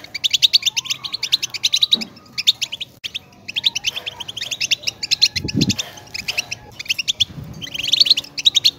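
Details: European goldfinch singing a rapid, tinkling twitter of short high notes in quick bursts, with brief pauses near two and three seconds, and a few soft low thumps in the background.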